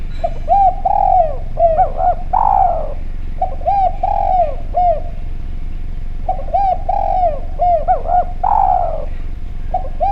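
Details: Persistently calling spotted dove (derkuku Jawa) with a clear voice, meant as a lure to set other doves calling: a regular cycle of short arched coos and longer falling coos, the phrase repeated about four times over steady low hum.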